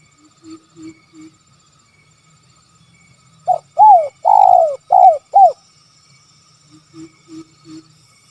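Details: Spotted dove, kuk 3 call style: soft, low, paired coos, then a loud five-note phrase of arched coos with a long middle note, then soft low coos again.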